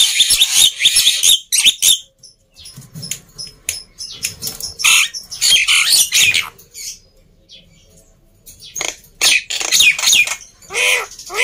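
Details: Black-winged myna singing loudly as a lure for silent birds: bursts of harsh screeching and chatter, a quieter stretch mid-way, then renewed raspy phrases with a short whistle.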